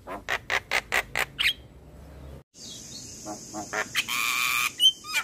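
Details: Morning lure recording of an Asian pied starling for young starlings: seven evenly spaced raspy notes, a sudden break, then fainter chatters, a long hissing burst and a thin whistle.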